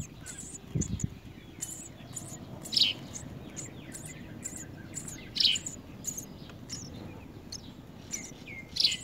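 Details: House sparrow chick begging while an adult feeds it a large blue caterpillar; loud, sharp chirps come in clusters every two to three seconds over softer high ticking, with low rumbling noise beneath.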